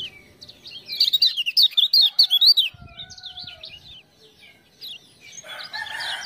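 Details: Captive Lemon-bellied white-eye (kecial kuning) of Lombok, kept as a tutor bird and set off by ciak-ciak sounds. It delivers a fast, loud run of sharply rising and falling high chirps, then quieter warbling, with a lower chattering call at the end.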